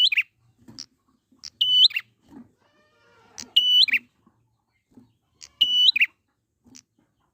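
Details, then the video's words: Wild prinia lure recording to prompt singing: a loud flat whistle ending in a rasping trill, repeated about every two seconds, with soft single chips between phrases. "pancingan prenjak gacor alam liar"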